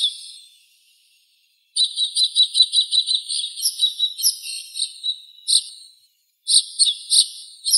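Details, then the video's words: White-winged snowfinch calling with a fast series of high, slightly trilled chirps that run together, then a few separate notes after a brief gap. "Голоса птиц. Воробей снежный (Montifringilla nivalis)"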